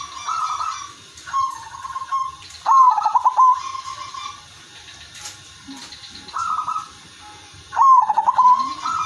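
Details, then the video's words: Zebra dove in full, frequent melodious song meant to prompt other doves to sing: rolling cooed phrases with rapid vibrating trills and held notes, given in bursts with brief gaps, plus faint low background noises. "perkutut udanmas silver gacor irama merdu jadi pancingan semua perkutut"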